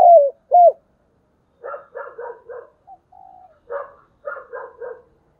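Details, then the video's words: Decoy spotted dove cooing in calling and thúc bổi style: two clear arched coos open, followed after a gap by a run of rough, stuttering pulsed notes in short groups. "Chim Cu Mồi gáy gọi và Thúc Bổi hay"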